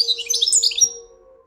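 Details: Brief, loud European goldfinch twitter: a quick jumble of high, bright chirps and tinkling notes, fading after about one second, with a faint steady low hum behind.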